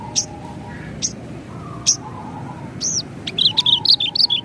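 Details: Gacor song of a Javan bush lark, ngerol nembak style. A few spaced high chirps, then a rush of fast, buzzy, descending notes toward the end, with a low hum behind.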